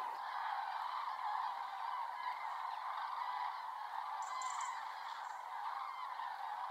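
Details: Large gathering of common cranes assembling before leaving the Iberian Peninsula: a steady wall of overlapping rolling, trumpeting calls from many birds, with occasional clearer higher notes standing out near the end.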